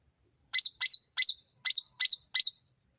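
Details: Six sharp, high chirps from a Sooty-headed bulbul, each ending in a hooked, slurred whistle, delivered steadily about three per second as a lure meant to provoke other birds to respond.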